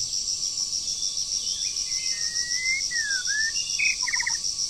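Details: Wild forest bird in moult during the breeding season, singing with spirit: a run of clear whistled notes, some gliding up and down, ending in short stacked chirps, over a loud, steady high insect buzz.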